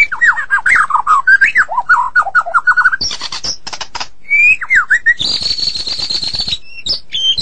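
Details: White-rumped shama from Medan in a long, energetic song: rapid wavering whistled phrases, sudden harsh broadband bursts, rising slurred whistles, and a sustained high buzzy trill lasting over a second.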